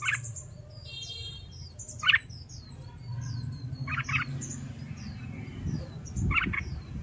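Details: Caged red-whiskered bulbul being trained in contest singing: short bright warbled phrases about every two seconds, with many thin high chirps from other small birds and a low background rumble.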